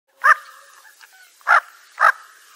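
Bufflehead giving three short, harsh, barking notes at an uneven pace, the last two close together, against a quiet background.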